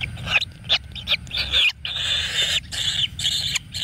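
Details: Nestling kingfishers being fed frogs in their natural nest give dense, rasping high-pitched calls in rapid bursts, with a brief pause midway and a low background hum.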